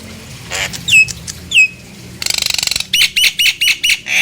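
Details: Nias hill myna in lively song, used to lure other hill mynas into singing: clear whistled notes with downward glides, a rapid buzzy rattle, then a run of repeated sharp, harsh notes about every third of a second.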